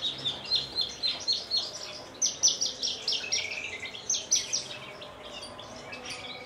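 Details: Captive Javan bush lark from Kulon Progo, Indonesia, known for hovering before perching and singing Jambul style with wing-trembling; regular high chips repeated quickly, shifting up in pitch midway, then fading into softer twitters.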